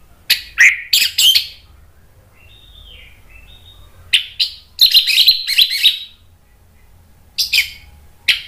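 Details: Anis merah, an orange-headed thrush, responding excitedly to a lure recording with sharp, noisy chattering bursts, brief level whistles in between, and a dense run of scratchy notes mid-clip before the bird falls quiet.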